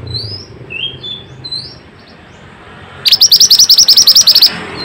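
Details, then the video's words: Pied bushchat in lively full song, played to prompt silent or stressed birds to sing. Faint thin whistles for three seconds, then a sudden fast burst of about thirteen sharp, high chattering notes lasting a second and a half. "Pancingan burung Mantenan gacor ll Cocok untuk burung mantenan malas bunyi"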